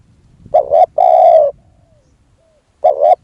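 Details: Luring a wild dove with a decoy spotted dove: one full low coo phrase, a short two-part note then a sustained coo, followed by silence and the start of the next phrase.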